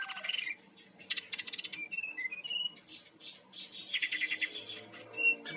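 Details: Brown-chested jungle flycatcher song from Bali used to coax birds into singing: clear whistled notes alternating with harsh buzzy bursts and a run of rapid high twittering.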